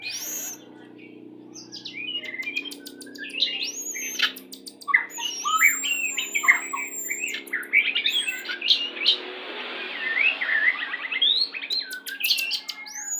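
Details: A "pastol" lure song of the white-rumped shama, used in pairing to bring birds into breeding condition quickly; long stretch of varied whistles, clicks and squawks, with a hissing noise passage partway through.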